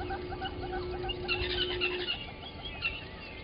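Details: Yellow-billed and red-billed hornbills below a fixed waterhole camera at Gowrie dam, Djuma Game Reserve, Sabi Sand Wildtuin, South Africa, 13 October 2020 at 05:16: quick series of hollow clucking notes, irregular, over a steady low hum and a brief droning tone.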